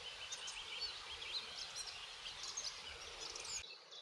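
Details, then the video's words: A Eurasian blackcap on Dartmoor, near Yarner Wood, in late April, newly back to singing in spring, sings a rich, fast warble of mixed high notes against a steady hiss of outdoor background noise. "black cap isn't a first for me but it's nice to hear that they've started singing again"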